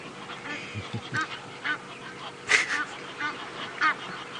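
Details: Egyptian geese, agitated as a baby elephant chases them at water on a sunset safari drive, 18 May 2017 around 4:36 PM, give harsh, nasal honks in uneven bursts about once a second, over a man's low commentary.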